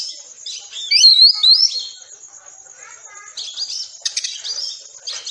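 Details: Caged-bird training song of an Oriental magpie-robin in the rapid 'tembakan rapat' style: a loud burst of rising and falling whistled slurs, then quieter chattering notes and a sharp rattling flourish near the end.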